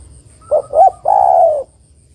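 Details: One phrase from a female spotted dove summoning the male: a short coo, a second short coo, then a sustained, softly falling purr.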